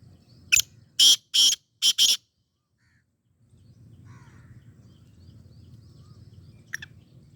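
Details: Black francolin from Sindh calling in a quick series of five harsh, grating notes within two seconds, then quiet with a low background rumble and one faint short note near the end.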